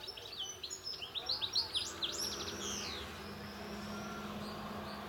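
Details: European goldfinch giving a quick run of high, tinkling, twittering notes over about two and a half seconds, then falling quiet, leaving a steady low hum and faint background noise.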